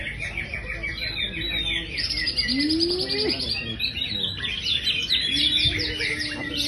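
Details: Greater green leafbird, a champion songbird of the Indonesian hobby scene, singing energetically: fast chattering chirps, then a bright sustained burst of high notes, with a rising slurred whistle and a steady low tone beneath.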